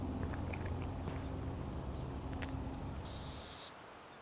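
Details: At Sweetwater Wetlands, Tucson, Arizona, a Black-tailed Gnatcatcher gives a few faint ticks then a single harsh, buzzy, high-pitched scold held about half a second over a steady low rumble.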